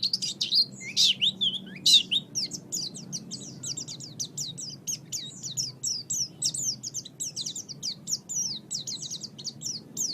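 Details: Pleci, the oriental white-eye, singing a master recording for pet bird training; a dense, continuous run of thin, high chirps and zigzag notes, a louder jumbled burst at the start, then steady rapid twittering.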